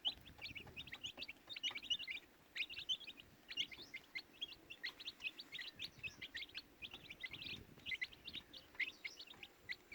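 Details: Baby chicks chirping in a continuous group chorus, thin high peeps repeated rapidly, slightly softer and more distant, over a faint low hum.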